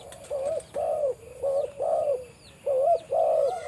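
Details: Spotted dove, a deep-voiced breeding male on a farm: series of low, rounded cooing notes, each about half a second, with faint high chirps of other birds behind.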